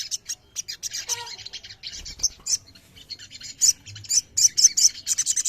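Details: Massed chorus of ruby-throated myzornis played to get kept birds singing: bursts of sharp, high chirps and short twittered phrases, uneven in rhythm, with quieter gaps between louder clusters.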